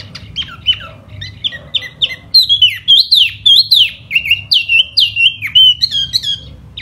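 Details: During spring a laughingthrush delivers its fanning display song: soft chattering notes build into loud, looping whistled phrases repeated almost twice a second.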